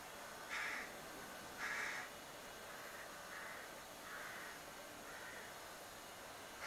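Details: Young crow begging from a cherry tree outside a window: two loud, harsh, nasal calls in the first two seconds, then three softer, drawn-out calls spaced about a second apart, over a faint steady background hiss.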